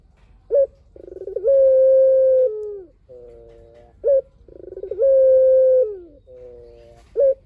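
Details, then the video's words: Energetic song of a puter dove: clipped high notes, a purring rolled start swelling into a sustained even coo that sags at the end, and quieter descending coos, in repeated phrases a few seconds apart. "PUTER GACOR SUARA PANJANG"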